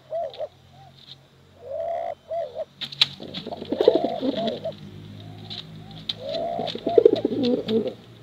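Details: Pigeons from a competition line, male and female, giving short separate rising-falling coos over a steady low hum, then a louder run of bubbling, overlapping coos with sharp clicks and flutters.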